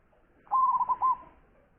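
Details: Local zebra dove, called a champion with a big voice, sings a single short phrase: a mellow coo rolling through four rounded notes at a low, even pitch, against a quiet background.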